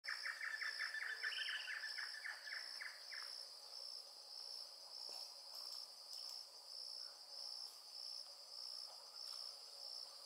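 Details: Narrow-billed woodcreeper at Pouso Allegre in the Brazilian Pantanal, 7 July 2019: a rapid run of repeated notes that drift slightly lower, ending in a brief higher phrase after about three seconds, over a steady high insect drone.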